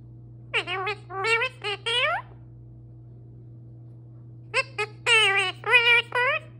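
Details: Male pet parrot talking indoors in a long stream: two bursts of rapid, speech-like syllables with bright rising and falling harmonics, separated by a pause of about two seconds, over a steady low electrical hum.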